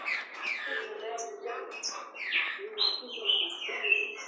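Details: Captive great saltators, a male and a female, being paired for breeding at a breeding facility, 12 October 2019; clear whistled phrases, some steady, others sliding, mixed with a human voice in the background.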